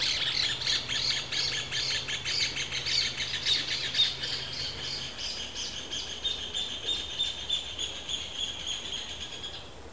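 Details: Rufous hornero calling in the breeding season: a loud, fast run of sharp, high notes, pulsing steadily for about ten seconds and fading slightly toward the end.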